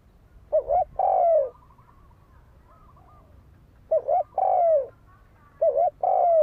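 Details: Spotted dove cooing, used as a lure to provoke fighting: three low, hollow phrases, each a short two-part note followed by a longer, steady, slightly falling coo, separated by pauses of about two seconds.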